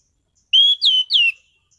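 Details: Orange-headed thrush, a caged bird kept for singing, giving a loud clear whistled phrase of three slurred notes, each sliding down, lasting under a second, against a silent background.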